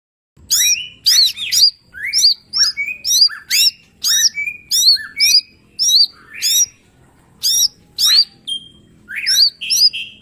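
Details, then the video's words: Mini green leafbird in full song, a master recording for training: loud hooked whistles and sharp rising notes, about three bursts every five seconds, with short trills between phrases and a faint low hum beneath. "Cucak ijo mini gacor full tembakan bongkar materi"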